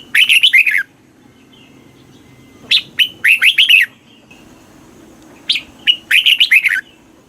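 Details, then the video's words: Caged-bird training recording of a red-whiskered bulbul in southern Thai master-song style, meant to stimulate other bulbuls and tutor chicks. Three bright, quick warbled phrases with short clipped notes between them and quiet gaps, over a soft low drone. "เสียงนกกรงหัวจุก ร้อง ริก เปิดให้นกฟัง ยั่วให้นกคึกจัด chao mao hot, chào mào hót"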